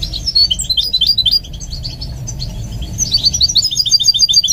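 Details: Singing goldfinch mule under training: quick, high, slurred chirps in a busy twittering phrase, a softer pause mid-clip, then a renewed run of rapid bright notes.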